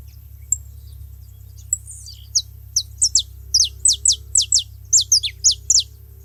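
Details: Saffron finches gathered at a feeding spot: after a few isolated notes, a lively string of piercing, downslurred chirps starts and speeds up to roughly three per second. A low background drone runs throughout.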